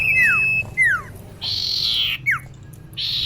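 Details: Female common iora calling for a male, a luring sound: two clear whistles sweeping steeply down, a drawn-out harsh buzz, another falling whistle, and a final buzz.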